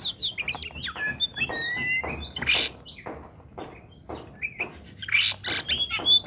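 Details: Oriental magpie-robin song used to prompt quiet birds into singing: clear whistled slurs and descending notes mixed with scratchy bursts and short chirps, loud and varied, faint low hum in the background.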